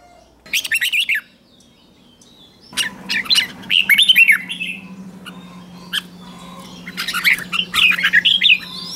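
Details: Red-whiskered bulbul in competition-style morning song: short bursts of warbled notes and harsher squawky calls come in irregular groups over a steady low hum.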